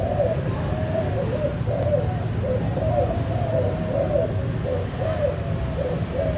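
A spotted dove gives soft, low, hollow coos in quick repeated phrases over a steady low rumble.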